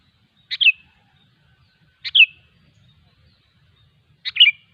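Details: Three crisp, bubbly chirp phrases from a sooty-headed bulbul in the wild, each a sharp click and a quick warble, repeated about every two seconds.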